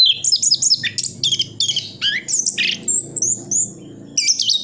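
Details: Orange-headed thrush in Sidoarjo, East Java, singing isian full song for tutoring contest birds: sharp high whistles, downslurs and chirps in short bursts over a steady low hum.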